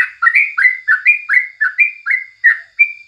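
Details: Morning song of a yellow-vented bulbul, known locally as crucukan, used as training material: short liquid warbled notes, about ten in three seconds, each sliding upward and falling away, ending on a clear level whistle.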